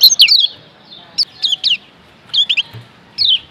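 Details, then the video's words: Lombok white-eye, a yellow kecial from Lombok used as a training song for caged birds: short high chirping phrases, each a quick run of downslurred notes, given in bursts about once a second with pauses between. "Masteran Kecial Kuning PENGGACOR Ampuh Merubah Kecial LEMOT Jadi NGOTOT‼️"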